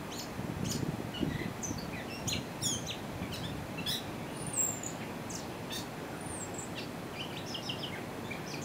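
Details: Gray catbird singing on the Clemson University campus in South Carolina, a rambling string of varied squeaky, chirping and slurred notes over a steady low rumble of background noise.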